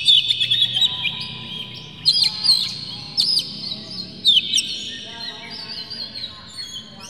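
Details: Oriental magpie-robin singing to provoke others of its kind. A quick twittering run comes first, then spaced single sharp whistled notes and slurs, with a faint low hum underneath.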